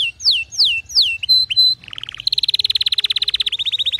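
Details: Song of a canary, offered as a tutor for non-singing or weak-voiced canaries: three loud downward-swooping whistles, short clipped notes and a buzzy phrase, then a rapid, steady, high trill to the end.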